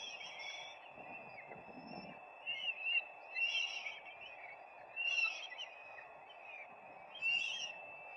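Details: Live nest camera on peregrine falcons, 4 May 2025: after a quiet start, four scratchy calls come at irregular intervals of about two seconds over a steady background hum.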